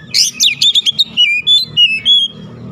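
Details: Oriental magpie-robin lure song aimed at provoking rival magpie-robins: a fast series of sharp chirps and slurred notes, then smoother descending whistles, over a noticeable low rumbling background.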